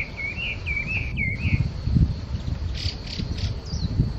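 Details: Chinese hwamei at Okurayama Park sings a run of rich, slurred whistles, rising and falling in quick repeated phrases, then a few further notes, over steady low wind rumble.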